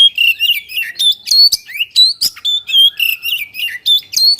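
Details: White-rumped shama song used to stimulate other birds to sing: a rapid, varied run of loud whistled and chirpy notes between 2 and 8k, sliding up and down, with sharp clicks mixed in, delivered continuously without pause.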